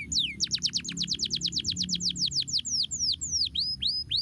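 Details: A canary sings to encourage lazy canaries to sing: a quick accelerating series of bright downslurred chips that slows into spaced, hooked whistles, with a soft low hum beneath.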